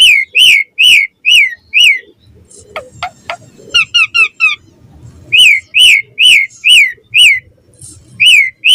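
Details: Morning song of an Asian pied starling, played to draw starlings into full varied singing: loud repeated rising-falling whistled notes roughly twice a second, broken by a burst of clicks and a short run of high chirps.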